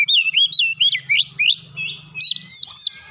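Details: Short burst of oriental magpie-robin song with mimicked gelatik batu notes, quick rising and falling whistled slurs repeated at a fast irregular pace, ending in higher squeaky flourishes, with a steady low hum in the background.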